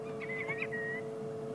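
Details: Senegal lapwings flying up at sunset on 6 February 2016 in Sabi Sand, South Africa, give a few clear, piping whistled notes in quick succession, the last slightly drawn out, over a steady game-drive vehicle engine hum.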